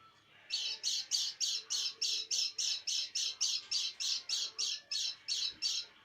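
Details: White-eye in a cage giving its peculiar call every evening toward night: about seventeen loud, scratchy buzzing notes in a fast, very regular series.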